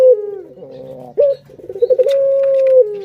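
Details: Coo of a puter dove used as a lure for other birds: a descending tail, soft murmuring, a sharp rising note, then a pulsing roll that settles into a long even coo.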